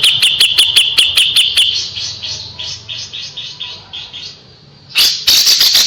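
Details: Kapas tembak singing as a tutor for white-rumped shamas, with a run of evenly spaced sharp clicking notes, a softer trilling warble, a brief pause, then another loud burst of rapid clicks.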